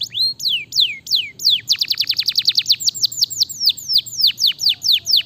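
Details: Canary (Serinus canaria), song.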